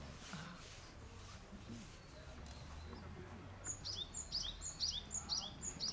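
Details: Thin, high, sharply sliding chip notes, about two per second, over steady noise with a low rumble, while a Warbling (Japanese) white-eye sips cherry blossom nectar; the twittering is said to be from a Great Tit, not the white-eye.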